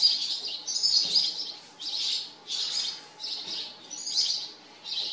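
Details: House sparrows living at a farm, calling in repeated bursts of harsh chirps about once a second, several overlapping voices suggesting a group; no other clear sounds.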